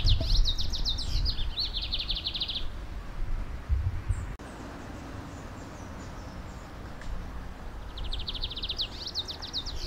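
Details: Lined seedeater, Brazilian bigodinho, in nature delivering its rapid 'metralhando' song: a fast, high chattering volley of repeated notes for over two seconds, a pause with faint ticks, then another volley starting. Low rumbling noise lies beneath.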